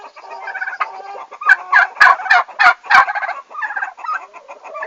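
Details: Domestic turkeys on their first day at a farm, 11 August 2015, giving rapid pulsed, rattling gobbles in bursts of about half a second, several overlapping, louder toward the middle.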